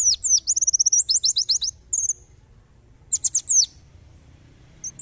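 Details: White-eye in tembakan style, a tutor recording for training songbirds: rapid high, thin chirps and a run of even whistled notes, a brief pause, then a second dense burst of sharp descending notes.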